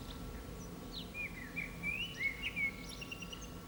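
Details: A common blackbird (Turdus merula) singing from an antenna in the town centre of San Martín, Zamudio, Bizkaia, on 18 April 2019, gives a short mellow warbled phrase wavering up and down, with thin higher twittering notes over a low hum.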